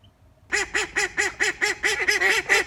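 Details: Female call duck kept as a pet at a high school in Saitama, Japan; after half a second of quiet, a steady run of about ten loud, nasal quacks, roughly four each second, evenly spaced and similar in pitch.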